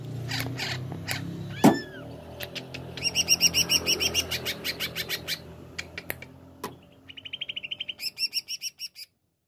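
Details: Greater green leafbird singing long runs of rapid repeated chirps, with sharp clicks between phrases and a few brief whistled notes, over a faint low hum.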